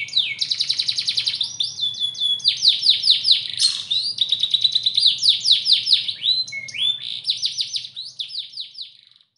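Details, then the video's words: Domestic canary of bottle-green colour delivering a long energetic song of rapid chopped trills and swept whistled notes in bursts, fading out near the end over a faint low hum. "Kenari Ijo Botol materi edan"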